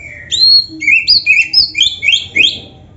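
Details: Training song of a lively oriental magpie-robin: a steady string of about eight sweet, high whistled notes, each sliding up or down, some rising sharply, given in a quick even rhythm.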